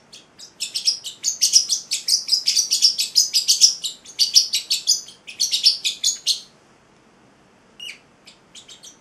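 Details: Eight-week-old male Celestial parrotlet kept as a pet delivering six seconds of dense, fast, high chirping warble, loud and continuous, followed by near silence and a few scattered chirps.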